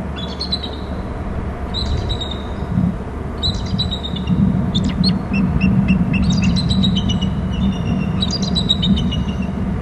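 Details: Two eagles at a nest territory on Hornby Island, one flying in to a stump from above, trade high, thin chittering calls, quick runs of sharp piping notes, over a steady low rumble of traffic or wind.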